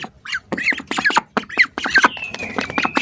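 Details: Hungry ducks recorded from close by: separate short, nasal quacks, some rising and falling, spaced unevenly, followed by a long, thin whistled tone that slowly descends.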